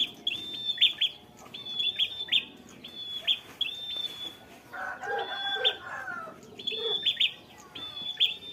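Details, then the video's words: Bar-winged prinia kept as a fighter bird gives steady ngalun-style song, with short sharp chirps tied to flat high whistles repeated in regular bursts, and a lower warbling bird calling in the middle. "prenjak kepala merah fighter ngalun mewah berwibawa nancep satu titik"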